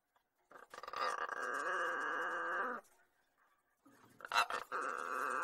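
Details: Two long, nasal, buzzing squawks from a male pet lorikeet indoors, each held for over a second, the first steady and grating, the second starting with a sharp crackle before settling.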